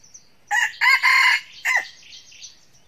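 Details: Red junglefowl cock kept as a lure, crowing to provoke wild roosters: one bright, harsh crow in four parts ending in a quick falling syllable, followed by faint background bird calls.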